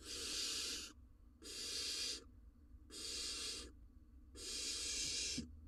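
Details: At a nest box in Israel in the breeding season, a male barn owl brings a rodent to his chick. Four long, harsh, rasping hisses, each about a second long, are separated by short silent gaps.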